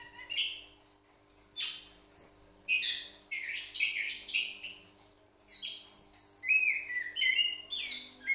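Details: Caged orange-headed thrush sings varied high phrases of whistles, slurred notes and fast chirps in bursts separated by short pauses.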